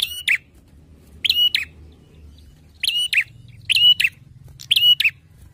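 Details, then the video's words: Ringing song of a bar-winged prinia, Indonesia: five paired, rasping chirps, the gaps shortening toward the end, over a soft low rumble. "PLONG ,NYARING KICAUANNYA !! TERBUKTI CIRI PRENJAK BERKUALITAS"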